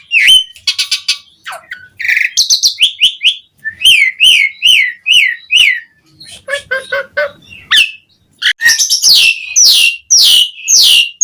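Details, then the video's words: Asian pied starling singing a rich, varied song to draw other starlings: rapid harsh chatters, runs of repeated downslurred whistles about five in a row, a short quieter stretch, then loud high whistles. "Suara Jalak Suren Gacor Memanggil Burung Jalak Jarang Bunyi Seketika Nyaut Ikut Gacor Full Isian"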